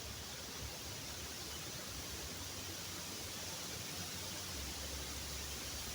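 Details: Only a steady, even broadband hiss like rushing water or static fills the recording, with no calls.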